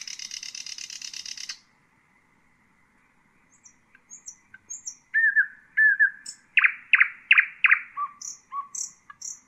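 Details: Nightingale song meant for teaching chicks: a long rapid rattling trill, a pause, high piping whistles, slurred low notes, then a crescendo of loud repeated strokes followed by softer low notes and high whistles.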